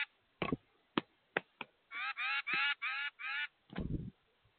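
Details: A very vocal titmouse at a bird feeder gives a run of five harsh, nasal, buzzy notes in quick succession, set among sharp knocks and clatter.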